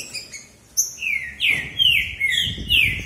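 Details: Green-winged saltator males dueling in a singing contest in the bitola style: after a faint start, a run of bright descending whistles follows rapidly, with a soft low rumble underneath.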